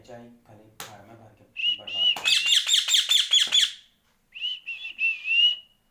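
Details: Indian ringneck parrot whistling at home: after a person speaks, a rapid buzzy pulsed burst, then three clear high whistles with slight warble.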